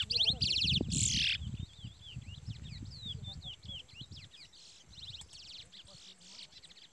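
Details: A chestnut-bellied seed finch fights a wild brown-plumaged rival and gives rapid, varied warbling of whistled and slurred notes, with a burst of loud harsh sound at the start and low rumbling throughout.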